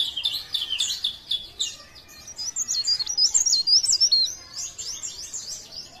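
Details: Leaf warbler from Pare Pare, singing in a lively, full-voiced style: a fast, high, thin warble of squeaky, twisting notes, rising in intensity mid-clip, with faint low background noise.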